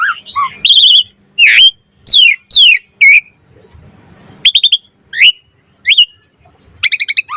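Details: Asian pied starling singing 'mompa' variations for training and attracting starlings: scattered loud downslurred whistles and squeaky notes separated by pauses, closing with a quick burst of four clipped notes.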